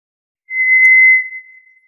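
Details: A single long, flat, eerie whistle from a White's thrush holds one high pitch for over a second before slowly fading out, against complete silence.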